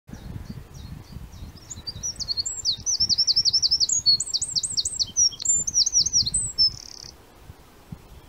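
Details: A Eurasian wren at Bispham, Blackpool, 5/04/2020, sings a loud, high, tumbling song of fast ticking notes and rattling trills, running about five seconds, over a low background rumble.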